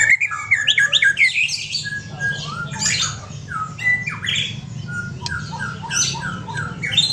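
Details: White-rumped shama of the Aceh kind with a companion, singing quick stepped whistles and harsh scratchy bursts, ending with a series of short repeated whistled notes, over a low background hum.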